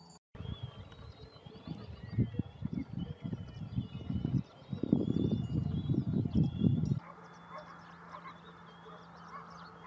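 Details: Flock of greater flamingos (Phoenicopterus roseus) at Barragem da Marateca, Portugal, in November 2022, giving overlapping goose-like nasal honks and gabbling calls over heavy wind rumble that drops away near the end.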